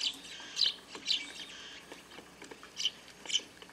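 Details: Eurasian tree sparrows at a rural garden feeder on a grape trellis, gathered in a big flock and pecking at food. Sharp, bright chirps come singly or in pairs about every half second, with softer chatter between.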